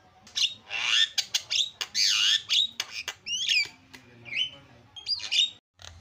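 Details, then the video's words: Jalak kebo, the Asian pied starling, singing a noisy full song: harsh rasping bursts alternating with sharp whistled slurs and clicks, packed closely with brief gaps; low hum beneath. "SUPER BERISIK JALAK KEBO SUARA ISIAN"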